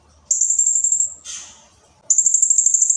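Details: Blue-crowned hanging parrot delivering dense song: a high rapid pulsed trill, a brief harsher rasping note, then another sustained high trill of quick regular pulses.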